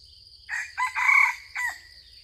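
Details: Four-part crow from a yellow-hued junglefowl drawn close by a decoy. Two quick rising notes lead into a sustained strained middle, ending on a short falling syllable, while insects hum steadily and shrilly behind.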